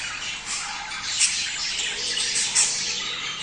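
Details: Budgerigar chorus meant to prompt mating: unbroken bright chirping and warbling from many birds, with two sharp clicks standing out near the middle and end.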